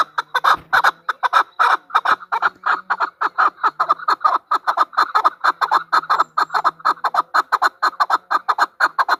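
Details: Female chukar partridge calling: a rapid, slightly uneven run of harsh clucking notes, about two a second, held for the whole stretch, with a faint low hum underneath.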